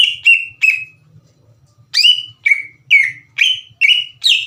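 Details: Lure song of a vigorously singing Greater green leafbird, meant to stir other leafbirds: three clear whistles, a brief gap, then six loud, sharply falling whistled notes at about two per second.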